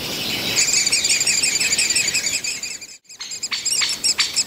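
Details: Great spotted woodpecker young being fed in the nest by a breeding pair at Mønsted Kalkgruber on 30 May 2020; shrill, rapid chattering fills the first three seconds, breaks off abruptly, then returns as a few sharp separate notes.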